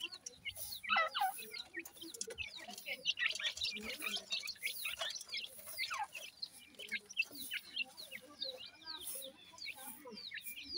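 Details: Pheasant chicks calling to their mother while being fed, with the mother hen nearby; dense, overlapping short peeps that slide downward from high to middle pitch, repeated rapidly and continuously throughout, with faint low murmuring beneath.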